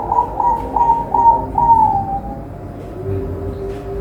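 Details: Captive-bred zebra doves at a bird farm in Semarang, Indonesia: a run of short, clipped cooing notes in quick succession, then a longer, drawn-out falling coo fading away, over a low background hum.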